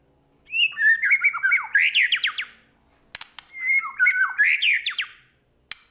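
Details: Medan-type white-rumped shama in chatty full-isian song. Two bursts of loud, varied whistled phrases with rapid slurs, separated by a brief pause and a few sharp clicks.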